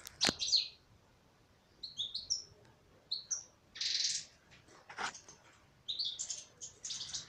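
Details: A female European goldfinch in an aviary gives bright, tinkling twitters in short bursts, with a few buzzy notes and clicks between phrases.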